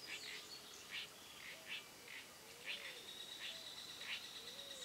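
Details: Spot-backed puffbird recorded at Boa Nova, Bahia, Brazil, giving short clipped notes in an uneven series, over a steady high hiss, with low soft whistled notes from another caller.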